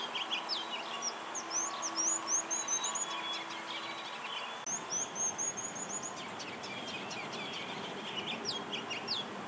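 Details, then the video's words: Ruby-crowned Kinglet, a spring migrant at Mt. Auburn Cemetery, Cambridge, Massachusetts, sings very high, thin notes tumbling in quick twittering runs, pausing once and starting again, with a low steady hum beneath the first half. "the ruby crowned kinglet is smaller than any warbler and probably a better singer [Music] [Applause]"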